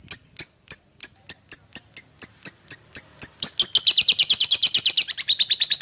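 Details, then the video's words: Lovebird calling to its companion, kept as a lure to call a rival: evenly spaced high, piercing chirps that speed up into a dense, rapid chattering run near the end. "suara lovebird memanggil temennya | pancingan lovebird memanggil lawan"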